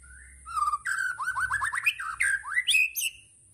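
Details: White-rumped shama (murai batu), tembakan-style song: a quick string of clear whistled notes, each slurring upward, climbing from mid to higher pitch over about three seconds, ending on a bright high flourish.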